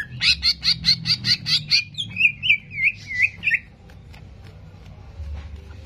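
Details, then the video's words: Greater green leafbird, used as a provocation track to stir up aggression, gives a fast burst of bright, evenly spaced chipping notes, then several looping downslurred whistles, before falling quiet for the last two seconds. "PANCINGAN CEPAT MENAIKAN EMOSI CUCAK IJO"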